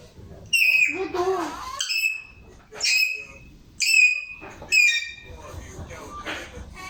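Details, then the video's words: Pet parrot at home uttering a run of sharp, piercing, harmonic squawks, roughly one per second, some short and clipped, one stretched, with faint murmuring voices in between. "My cute Parrot Talking alot"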